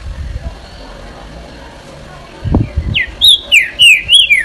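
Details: Green-winged saltator, song style 'eu sou terrível': low knocking sounds, then a phrase of about five bright whistled notes, each sliding down or up, delivered quickly and evenly.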